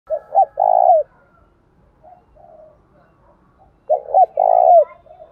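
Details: Spotted dove cooing in the Đồng Thổ voice style, used to provoke a rival into calling: two phrases about three seconds apart, each a short double note followed by a long, throbbing coo that droops at the end, with faint chirps between.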